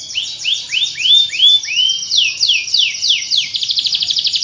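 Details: Lure song of a canary, played to get lazy canaries singing: bright upward-curving whistled notes repeated in series, then descending sweeps, ending in a quick dense trill.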